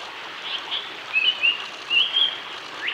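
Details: Male Japanese paradise flycatcher singing in Ōiso, Kanagawa, Japan, 23 June 2020: a series of short, clear whistled notes, some slurred upward, at a brisk pace over a steady background hiss.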